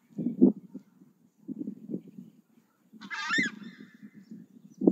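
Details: Southern screamer: low, gruff honking pulses in loose clusters separated by short pauses, broken midway by a single loud, high, bright trumpeting cry.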